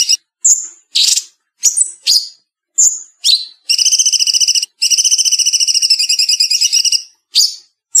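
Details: Cucak cungkok bulbul delivering a fast, tight 'speed rapet' song, cleanly edited: scattered whistled slurs and rasping chips, then two long, rapid, buzzy pulsed trills split by a short gap, ending with more sharp notes.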